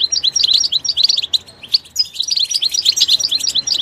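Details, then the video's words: Goldfinch singing in its natural environment: a fast, bright twittering of short chirps and slurred notes, steady and continuous with a brief pause midway. "soothing nature sounds of the Goldfinch will make your bird sing"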